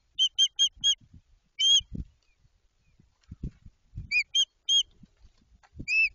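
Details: White-tailed eagle at a nest being built at the start of the season in Jedwabno, Poland: clear yelping calls in a fast run of four, a single note, then another run of three and a final note, with low thumps and knocks between them.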